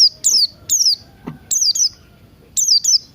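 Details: Lure recording of Buxton's white-eye singing in the morning. Very high, piercing downslurred notes come in rapid doubled bursts, one pair after another, with faint clicking underneath.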